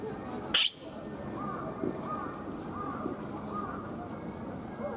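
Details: Palawan peacock-pheasant in Ueno Zoo, Tokyo, Japan: a single brief, piercing, raspy shriek near the start, followed by faint soft chirps from other birds and a constant crowd murmur.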